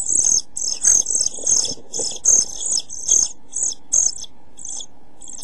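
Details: European pied flycatcher chicks, 11-12 days old and close to fledging, begging in a nest box in late June: dense high, hissy-sharp bursts in quick irregular succession, with low rustling and thumps from movement inside the box.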